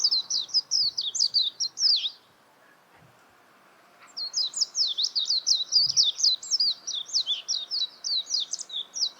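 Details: Warbling white-eye singing two spells of rapid, high, jumbled twittering, the first about two seconds, then a two-second pause and a longer, livelier run with a faint low thump.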